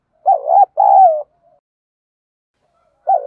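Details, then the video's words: Spotted dove giving a 'gáy gọi' calling coo, recorded to stir up decoy birds in training: a short wobbling double note and a drawn-out descending coo, a gap of nearly two seconds, then another phrase starting. "chim cu gáy thúc gù & gáy gọi, cu gáy giọng đồng, gù thúc, tiếng đồng gáy gọi"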